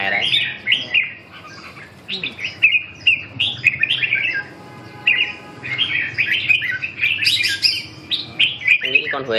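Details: Red-whiskered bulbul, fourth-prize winner of a Hai Phong singing contest, in an exchange session: lively run of sharp chirped and slurred whistled phrases, some briefly held, with short pauses and faint talk beneath.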